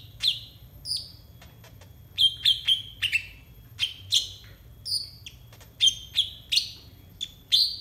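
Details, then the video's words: Konin (brown-throated sunbird) song played as tutor material for untrained birds: piercing high chirps and short whistles, some in quick doubled bursts, others spaced about a second apart across the phrase. "TERAPI AMPUH UNTUK BURUNG KONIN 100% COCOK BUAT MASTERAN KONIN BAHAN"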